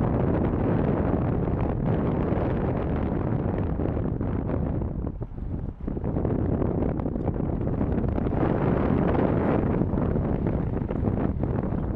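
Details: Strong wind buffets the microphone with a steady low roar throughout, and no bird calls can be picked out.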